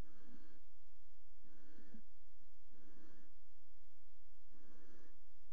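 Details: Barn owl at a nest box in a water tower, 5 February 2018, during pairing. Four harsh, breathy hissing bursts, each about half a second long, come at roughly 1.3-second intervals in a quiet indoor space.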